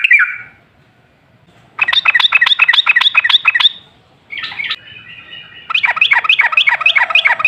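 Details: Yellow-vented bulbul singing as a lure to make other bulbuls sing: a short slurred note, then a burst of rapid chirpy notes, a softer buzzy trill, and another quick run of bright repeated notes.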